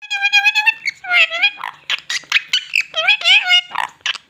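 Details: Talking parrot praised for its sweet voice, giving a run of squeaky, speech-like syllables with strongly harmonic, bending tones, some rising and falling, packed closely over about four seconds with short gaps.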